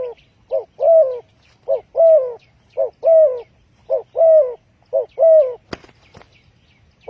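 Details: Used to lure birds into traps, a spotted dove gives rhythmic paired coos, a short note then a longer bending one, six pairs evenly spaced, broken near the end by a sharp click and faint chirping.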